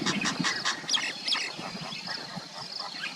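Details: Common myna in Aurangabad giving a run of harsh, squawky, chattering notes in quick bursts, some rasping and some sharper, with a steady high insect drone running underneath.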